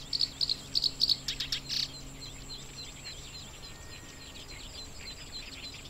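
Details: Black-browed reed warbler in breeding-season grassland at Watarase, Japan, bird on eggs nearby; a quick burst of sharp, high repeated notes in the first two seconds, then fainter chatter fading into a low insect-like drone.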